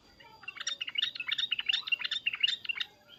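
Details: Sooty-headed bulbul calling emotionally, loud cuk-cuk and uplik-uplik sounds used to make other bulbuls answer; an unbroken stream of quick, bubbly, up-and-down chirps lasting almost three seconds.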